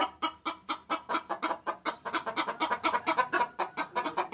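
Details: Domestic hen calling a cock bird, recorded for luring: steady, fast clucking throughout, roughly five clucks a second, each short and throaty with no pauses.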